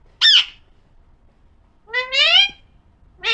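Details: Alexandrine parakeet, locally called pahadi parrot, voicing a short harsh squawk, then a longer drawn-out nasal rising call, and the start of another squawk at the end.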